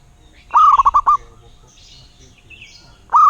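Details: Local zebra dove delivering a rolling coo phrase of one longer note and several clipped notes, then falling quiet amid faint distant chirps before the next phrase begins.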